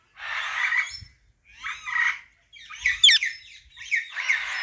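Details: Harsh, grating squawks from a female Alexandrine parakeet in four long bursts, the third breaking into a shrill, piercing screech, each burst rough and broad-toned with brief silences between.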